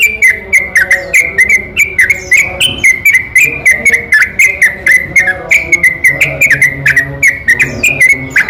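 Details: Continuous night-time song of a yellow-vented bulbul, used to goad other bulbuls into singing. Dense, fast strings of short whistled notes at a steady bright pitch are punctuated by crisp clicks, with no breaks.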